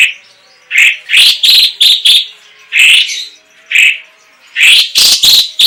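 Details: Chinese leafbird (cucak ijo cina, cucak cungkok) in lively song. Short, loud, squeaky chirps come singly and in quick clusters, mixing lower warbled notes with higher sharp ones, separated by brief pauses.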